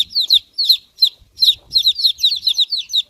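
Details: Chicks cheeping with high, descending peeps, first spaced singly, then crowding into a quick, continuous run of paired notes, with a brief low rustle.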